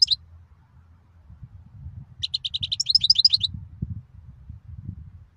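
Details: {'caption': 'A goldfinch gives a brief, rapid burst of high twittering notes, with quick alternating chirps lasting just over a second, after a single opening chirp; a low hum and rumble run underneath.'}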